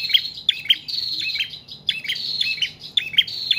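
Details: Prinia song for luring and tutoring cage birds: clipped high chirps in groups, backed by a continuous high, reedy whistle.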